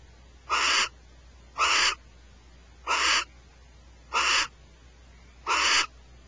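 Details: A barn owl (Tyto alba) at Starr Ranch, one of a pair squabbling over a rat, gives five harsh, hissing screeches, each about a third of a second long and roughly a second apart, over a quiet background.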